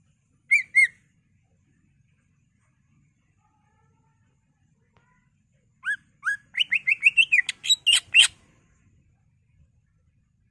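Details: Greater green leafbird song used as a lure to stimulate other leafbirds to sing: a brief pair of whistled notes, a long pause, then a burst of rapid chirps and sharp clicks, clean and without background noise.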